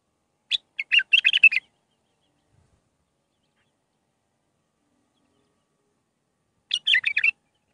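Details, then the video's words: Bulbul song in the Mandalawi style with six phrases, meant for training young birds: a fast warbled phrase, about five seconds of silence, then a similar bubbling phrase repeated. "للتخريج االمخاليف. مندلاوي ب6 لسانات"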